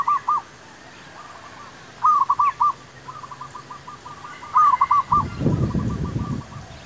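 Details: Zebra dove used as a lure for trapping wild doves, singing repeated short trills of staccato cooing notes. One brief phrase is followed by two fuller bursts, with faint answering coos and a low rumbling noise near the end.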